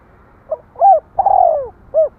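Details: A single spotted dove phrase: a faint short note, a rising hollow coo, a long purring coo that drops in pitch, then a brief final coo. Nothing else is audible.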